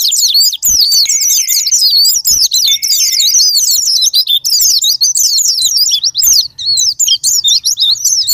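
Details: Japanese white-eye, used as a lure to provoke song: continuous rapid high warbling of squeaky, darting notes, with a steady thin whistled tone showing briefly underneath and a faint low hum later on.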